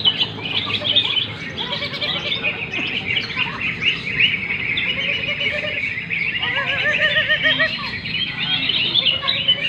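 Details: Many greater green leafbirds singing at once at a bird song contest: a dense, high chorus of rapid chattering whistles and trills, overlapping without pause, with faint voices beneath.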